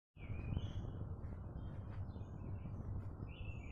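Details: Birds chirping outdoors: thin whistled notes sliding around high pitch, a few short calls spread across the clip, over a steady low rumble of background noise.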